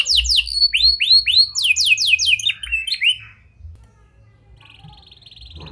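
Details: Canary singing in 'gacor' style with prenjak and lovebird phrases, a lure to get a silent canary to sing: a run of swooping chirps and quick rising notes for three seconds, then quiet with a faint buzzy trill.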